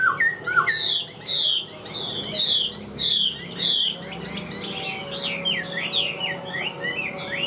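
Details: Loud song of a caged Chinese hwamei, a big bird that sings readily when hung up: bursts of rapid, high, buzzy-edged whistles in clusters, with brief pauses, ending in a chain of quick V-shaped slurred notes.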